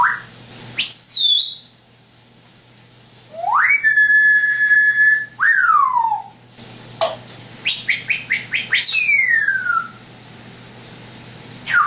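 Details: Captive African grey parrot imitating sound effects with loud swooping whistles: a high falling note, a long rising-then-level tone, a descending glide, and a quick run of short downward chirps ending in a long falling whistle.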